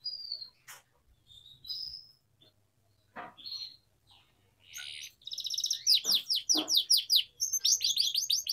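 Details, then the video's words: Atlantic canary (kenari) training song for young canaries: scattered short whistles and clicks at first, then a loud run of fast trills and downslurred chirps in the second half. "Canary Singing Training || Kenari Gacor Panjang Cuit Cuit Emosi, Pancingan Kenari Paud Belajar Bunyi"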